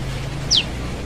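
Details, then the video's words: A young forest prinia (prenjak lumut) calling for its parent gives a single thin, high note that slides quickly downward, over a steady low rumble. "SUARA PRENJAK LUMUT ANAKAN/MUDA HUTAN MEMANGGIL INDUKNYA"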